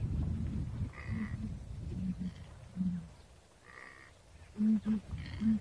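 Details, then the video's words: Southern ground hornbill in Kruger National Park, South Africa, giving deep, hollow booms, some in quick pairs, over a low rumbling background with a few higher harmonic notes between. "Sound of the Southern Ground Hornbill"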